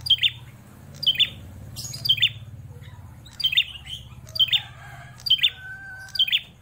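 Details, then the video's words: Captive prenjak klawu, a prinia held for over four years, repeats strident high chirps about once a second, some doubled, with a faint drawn-out whistle near the end and a continuous low rumbling hum underneath. "Prenjak klawu gacor, suara lantang mental juara"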